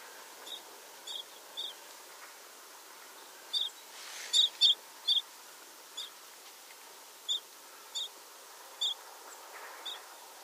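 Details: Tibetan rosefinch (Carpodacus roborowskii), a ground-feeding seed-eater of Tibet, giving short, high, clipped chirps spaced unevenly about half a second to a second apart, over a faint hiss of background noise.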